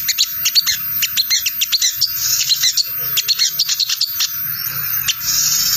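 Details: Crimson sunbird 'ngriwik' chattering from a tangled-cassette-style lure recording meant to draw wild sunbirds into answering: rapid, dense, high, sharp chips and trills in quick bursts, with a low steady hum beneath.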